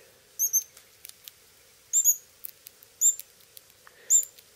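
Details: Begging Pyrrhuloxia chicks fed by their father, who takes food from a hand, in Terlingua, Texas: paired high, thin whistled notes, each pair slurring slightly downward, repeated roughly once a second with soft ticks between.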